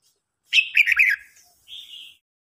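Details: Red-whiskered bulbul (Pycnonotus jocosus), song: singing contest, older bird challenging a young bird.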